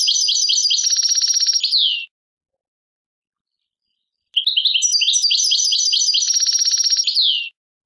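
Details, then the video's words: Song of an Algerian European goldfinch in tadmait style: two matching phrases of rapid metallic twitters, each ending in a buzzy rattle and a falling slur, separated by a two-second silence. "chardonneret chant tadmait"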